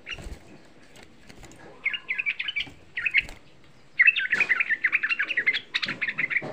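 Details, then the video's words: Young sooty-headed bulbul giving a rapid provoking lure song: a few soft clicks first, then short bubbly phrases, then a long fast run of warbled chattering notes to the end. "Suara Pancingan Trucuk Muda Ampuh Menaikkan EMOSI, Suara Trucuk Muda Bikin Semua trucukan EMOSI"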